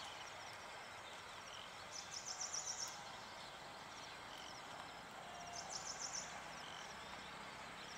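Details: Yellow-eyed babbler near a farm house giving two quick runs of high, sharp, closely spaced notes about three seconds apart, each run lasting under a second, against constant outdoor noise with faint insect-like hiss.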